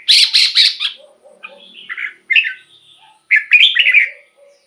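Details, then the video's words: Red-whiskered bulbul, recorded to excite caged birds or serve as a decoy: a burst of harsh, buzzy rapid notes, then softer scratchy phrases and a final warbled run of slurred whistles. "เสียงนกกรงหัวจุก สำหรับต่อ หรือ เปิดให้นกคึก เสียงเพราะๆ"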